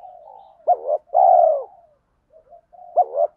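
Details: Decoy spotted dove cooing to excite wild males: soft lead-in notes, a clipped double coo, then a long buzzy descending coo, with another phrase beginning at the end.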